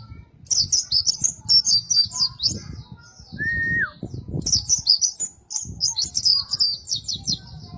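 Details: Oriental white-eye song used as master song for training cage birds: rapid high twittering phrases in two bursts, with one short lower whistled slur between and low rumbling background noise.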